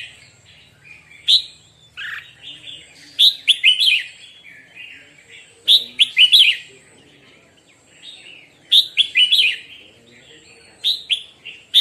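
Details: A red-whiskered bulbul singing in the morning gives bright, rollicking phrases of four to six quick whistled notes, repeated every two to three seconds, over a faint low hum.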